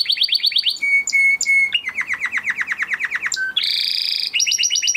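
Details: Spanish Timbrado canary of the crested type, bred in 2020 and kept in a flock, delivers a training song for canaries. Rapid repeated notes change tour every second or so: sharp high chips, sustained whistles, a rolling downward trill and a brisk upper trill.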